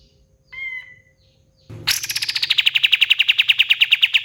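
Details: Pied fantail, or kapas tembak: one short whistled note, a pause, then a loud burst into a rapid ringing trill of repeated high notes that fall slightly and keep going.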